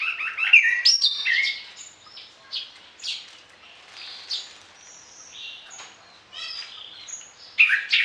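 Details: Orange-headed thrush singing a varied mimic-rich song for training other birds, morning and evening; dense overlapping whistles, chirps and high notes in quick succession, some quieter passages between louder bursts.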